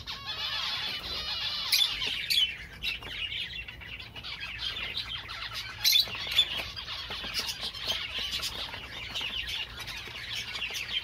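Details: Bright, high Java sparrow twittering with a few louder accented notes near the second and sixth seconds and quick clicking bursts; quiet background otherwise.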